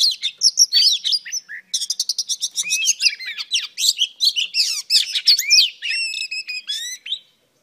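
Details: Female Oriental Magpie Robin delivering a dense, fast song of rattling scratchy trills and varied whistled slurs, lively and unbroken for several seconds before trailing off into silence.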